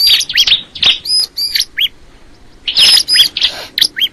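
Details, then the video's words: Crystal ciblek bird chirping in short high phrases of curved whistled notes, then falling silent for about a second before a fresh burst of sharp twitters. "the sound of the crystal ciblek bird"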